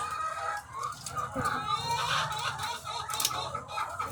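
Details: Thousands of egg-laying hens on a farm, a dense chorus of overlapping clucks and squawks at mid pitch, with occasional sharper cries rising above the constant murmur of the flock and a low hum.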